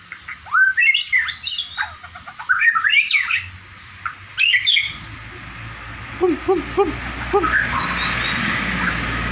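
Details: Wild or kept magpie-robin singing loud, slurred whistled phrases that rise and fall in several quick bursts over the first five seconds, then lower repeated notes over a steady background hiss.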